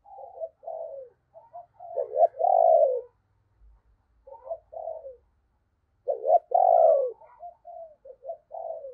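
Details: Decoy spotted dove with a 'giọng sấm bầu' thunder voice, calling to draw in wild doves: short clipped notes building into loud drawn-out coos, repeated in two bursts with a pause between, plus soft higher chirps.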